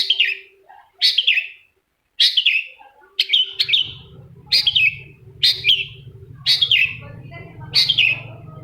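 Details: Cendet, the long-tailed shrike, singing a lure song meant to provoke another shrike to respond. Harsh, rasping downslurred notes repeat roughly every second, over a low steady hum in the second half.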